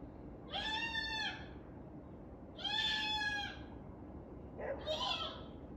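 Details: Pet cockatoo indoors calling to get its owner's attention while the owner is outside photographing the sunset; three drawn-out, arching, harmonic-rich calls about a second apart, the third rougher and shorter, over a low steady background hum.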